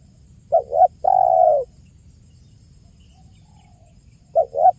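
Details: Spotted dove giving a clear, lively 'kuk 1' style coo, a recording used as a lure: two short, low coos and then a long drawn coo. After a pause the two short notes start again. A faint low hum lies underneath.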